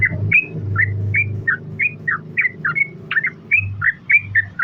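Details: Lure calling of a trucukan: short bubbly two-part notes repeated about three times a second in a steady series over a low humming background.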